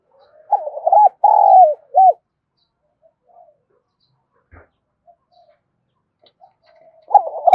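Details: Loud and resonant cooing from a "lụp gáo" decoy spotted dove meant to provoke other doves: one three-part phrase of hoots, a long quiet pause with a faint tap, then the next phrase beginning.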